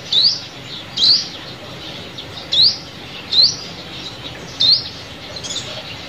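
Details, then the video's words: Sunbird call played as a lure for glue-trapping: thin, high upslurred whistled notes, each short, given five times at uneven gaps over a faint steady hiss. "Tiếng Chim Hút Mật Mồi Kích Bổi"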